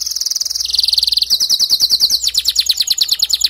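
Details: Canary male song aimed at prompting a female to weave her nest: continuous high rolling trills that step to different pitches, with pulsed notes becoming slower and more spaced toward the end.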